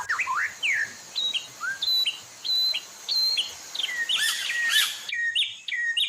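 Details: Captive-training song of a white-rumped shama, with mimicked fills: clear whistled slurs and repeated flat high notes, a loud burst of harsh chatter, then quick rising chirps after an abrupt splice.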